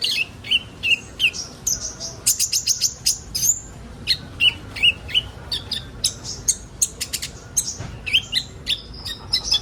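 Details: A kolibri ninja sunbird sings, a recording meant to get young birds singing fast: rapid jumbled phrases of thin whistles, quick trills and slurred squeaky notes, almost continuous, high-pitched throughout.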